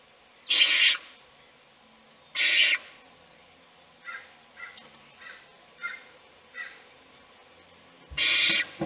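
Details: Owl feeding a chick inside a nest box as the rest of the brood sleeps; loud rasping hiss bursts at the start and end, with a run of short, quieter scratchy notes in between.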